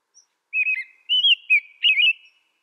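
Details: Song of an American robin: three to four liquid, rolling whistled syllables run together in one flowing phrase, steady in pitch, with no other sounds.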